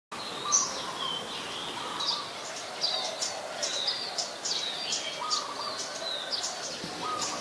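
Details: Scarlet-backed flowerpecker, a very common resident, recorded with a Nikon P1000 at Ubon Ratchathani, Thailand, on 5 February 2020: sharp high ticking notes and short downslurred chips scattered irregularly, over faint lower tonal whistles from other birds and soft background hiss.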